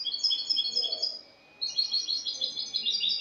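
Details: Spanish European goldfinch giving cante limpio song, dated 22 August 2018. Fast, dense, high twittering fills the recording, broken by one short silent gap before the rippling trills resume.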